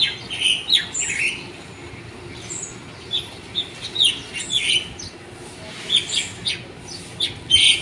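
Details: Wild birds singing in the morning: bright, high chirps and short twittering phrases from several birds, coming in quick bursts with brief pauses between them, over a quiet background.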